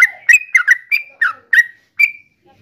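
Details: Yellow-vented bulbul, Javanese trucukan: about eight short whistled notes, some falling, some flat and drawn out, spaced unevenly over two seconds before fading to quiet.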